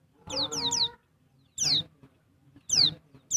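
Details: Female white-eye of the Dakun Bali type, in breeding condition, calling to attract and stimulate males: thin, high whistled notes sliding steeply downward, first a quick group of three, then single notes about a second apart.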